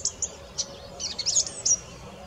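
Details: Song thrush singing: a brief run of high, sharp chirped and scratchy notes, loosely spaced and then bunched, over a faint, steady outdoor hiss.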